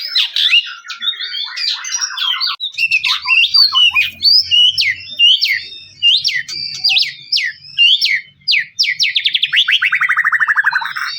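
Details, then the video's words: White-rumped shama provoking song: rapid varied chatter of clipped high notes and short whistles, ending in a long descending trill of quick repeated strokes. A faint low hum runs underneath. "PANCING MURAI BATU BUNYI CESS PLENGG!!!"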